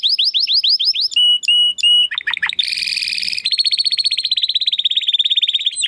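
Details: Belgian canary singing in the crackling 'estralando' style: rapid descending whistled notes, then flat sustained whistles, a few dropping slurs, a harsh buzzy burst, and a long fast rattling trill.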